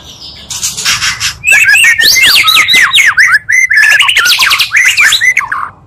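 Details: Oriental magpie-robin song, two voices merged to stir rival birds: a harsh buzzy opening, then a loud string of sharp rising-falling whistled notes repeated in quick succession.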